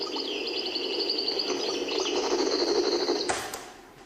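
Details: A caged European goldfinch (Carduelis carduelis) in El Biar, Algiers, improvising and practising its song, sings a rapid, tinkling run of high twitters and trills indoors with a faint background hum.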